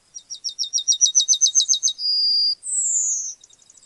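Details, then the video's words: Yellowhammer singing: a quick run of about a dozen short, high, identical notes that swell in loudness, then a long drawn-out whistle and a final higher slurred note sliding downward, with a faint ticking afterward. "Yellowhammer Singing"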